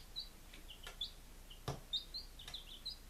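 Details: Chicks five days old in Lunenburg, Massachusetts, on 23 July 2017, uttering scattered shrill peeps roughly once a second, each short and rising, broken by a few loud clicks or knocks.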